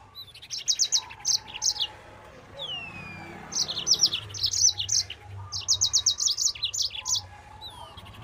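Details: A Yellow-fronted canary sings at full speed in the 'nembak' style, a recording used to train other birds. Quick runs of sharp high trills alternate with a thin falling whistle, a steady low hum beneath.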